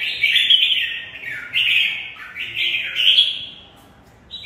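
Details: Red-whiskered bulbul of the Mộc bộ kind, caged, in full fighting song: a continuous run of rich warbled notes for about three and a half seconds, easing off, then a brief new note at the end.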